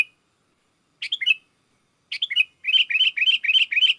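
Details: Sooty-headed bulbul in full song, calling wild bulbuls to answer: two short bubbly whistled phrases, then a rapid run of repeated warbling notes, about four per second.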